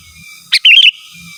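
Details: Sooty-headed bulbul, natural song free of mixed-in phrases, used to call rivals: a crisp high note followed by a rapid gurgling run of four or five whistled notes, clear over a faint low rumble.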